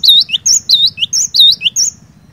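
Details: Cinereous tit singing loudly, offered as a lure for silent birds: crisp high-pitched whistled phrases with swooping, U-shaped slurs and a short lower note, repeated quickly for about two seconds above a soft low hum.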